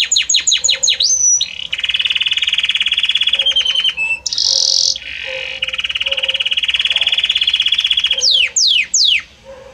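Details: Long evolving Belgian canary song grading from one note to the next: quick falling chirps, extended lower rolling trills, a brief buzzy burst, then sweeping rising notes.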